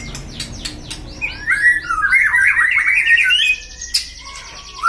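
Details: Pet white-rumped shama in a cage, stirred to anger to build its fighting mentality; sharp clicks open, then a dense jumble of quick whistled and chattering notes, ending in a brief high burst and a soft rising whistle.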